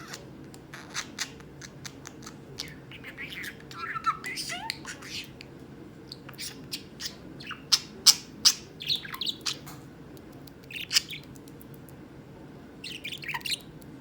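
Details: A talking pet budgerigar chatters in quick, scratchy bursts, mixing clicks and warbles with word-like mimicked phrases.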